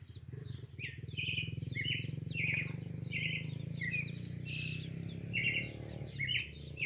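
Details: Pale-breasted thrush (sabiá-coca) song: a continuous run of varied whistled and warbled phrases, one after another with barely a break, over a loud, steady, low rumbling hum.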